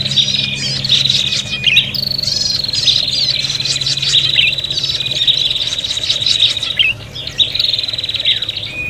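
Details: Agitated, quarrelling prinia calls meant to lure birds: a nonstop stream of shrill chips and buzzing trills, several birds overlapping without pause over faint low background noise.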